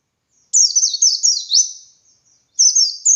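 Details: White-eye in lively ngalas song, played to teach other white-eyes: a fast run of sharp, high, downward-slurred chirps lasting about one and a half seconds, then a fresh burst starting after a brief silence.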